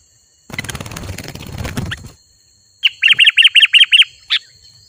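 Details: Sooty-headed bulbul singing vigorously ('gacor'), a recording meant to call wild bulbuls in: about two seconds of rustling broadband noise, then seven quick arched chirps in an even series and a final single note, over a faint steady high tone.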